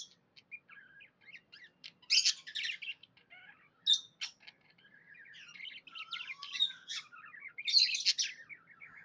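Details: Cheerful pet budgie chatter, soft rapid twittering that swells into loud scratchy chirps at intervals, with some downward-sliding squeaks.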